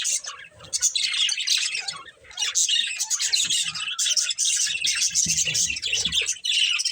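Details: Budgerigars of a breeding pair keep up dense, almost continuous high chatter: scratchy warbles, chirps and squawks overlapping with hardly a break, with a faint low hum below.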